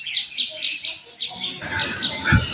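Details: Baya weavers singing in the morning near a house: quick, high chirps about three times a second. A burst of louder rustling noise and a voice cut in near the end.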